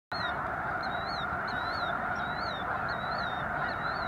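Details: Several thousand snow geese on a wildlife refuge in Missouri, heard during a controlled burn on a clear, lightly breezy day: a dense, unbroken roar of honking from the flock, with high, arched calls repeating about twice a second above it.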